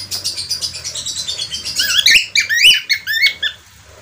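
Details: Budgerigar, parkit australia or falk, with soft busy twittering building into louder sharp upswept chirps and whistled notes before fading.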